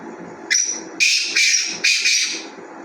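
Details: Black francolin calling: a series of harsh, grating, scratchy notes, a short one followed by longer rasping bursts in a broken rhythm, over steady low background hiss.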